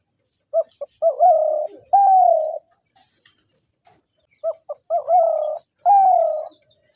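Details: Spotted dove cooing in two phrases: short clipped notes leading into two long, level, hollow coos, a pause of nearly two seconds, then the same phrase repeated.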